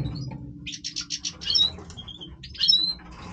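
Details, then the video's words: Major goldfinch in breeding voice: a short series of about six rapid buzzy notes followed by clear, slurred high whistles, over a soft low hum. "Stieglitz Major Breeding Voice - singing Goldfinch"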